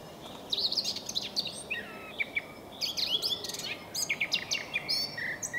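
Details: Eurasian blackcap singing early on a May morning: a rapid, varied warbling of bright whistled notes and chattering phrases in bursts, with other faint bird notes behind.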